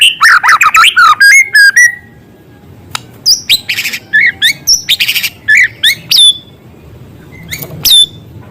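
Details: White-rumped shama song laced with small-bird material: a fast tangle of swooping whistles, then a series of separated sharp chips and short trills, with a couple of thin high notes near the end.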